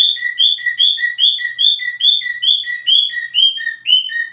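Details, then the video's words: A cockatiel whistles a quick series of paired notes, a loud upper slur answered by a lower clipped tone, repeated steadily a little over twice per second. "Σφύριγμα κοκκατίλ"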